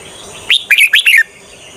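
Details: Decoy red-whiskered bulbul singing to attract wild birds for trapping: one brisk phrase of four or five clear, chirpy whistled notes, each dipping in pitch, over a faint steady hiss.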